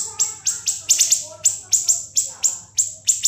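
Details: Brisk repeated high, clipped notes from a siri-siri, a tutor song for other songbirds, coming singly or in pairs roughly every third of a second.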